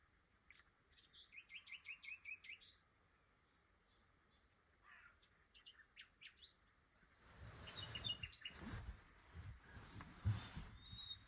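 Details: Early-morning Common Nightingale at Flowersbrook, Isle of Wight, on migration from African wintering grounds south of the Sahara: a quick series of repeated high piping notes, a pause and a few more notes, then loud rustling and handling noise.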